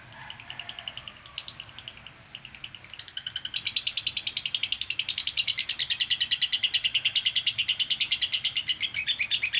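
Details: Female lovebird performing konslet-style chattering used as training audio. Scattered high chirps build into a fast, unbroken, buzzy stream of shrill notes, several per second, over faint low background noise.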